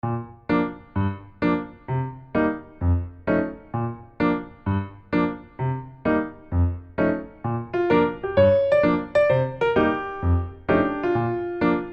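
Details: Steady piano music with evenly spaced chords and a brief higher melody near the end; no animal voice can be heard.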